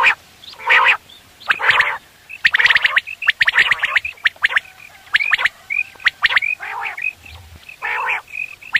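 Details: Quail calls for morning hunting: a busy mix of harsh nasal bursts and rapid whistled pips, irregular and at times overlapping. The calling is fairly dense throughout, with a faint low rumble near the end.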